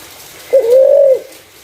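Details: Spotted dove call used as a lure for other doves: a single clear coo lasting about two-thirds of a second, opening with a short catch and then holding a level, smooth tone.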